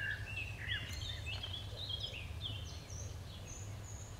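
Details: Eurasian wren chicks in the nest begging: thin, high chirps and short sliding squeaks scattered irregularly through the clip, some rising or falling, over a steady low rumble of background noise.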